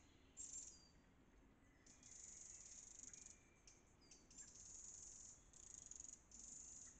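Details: Wren alarm calls while mobbing a fox sniffing near its hidden nest under log roots, flying side to side to distract it: harsh, high, dry rattling churrs in roughly one-second bursts with short pauses, faint hiss.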